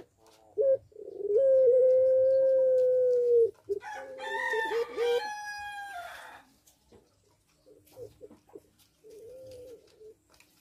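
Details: In a breeding aviary, a caged puter pelung dove in breeding condition gives a long sustained even coo after a short stutter. A rooster then crows loudly over it, and faint coos continue afterwards.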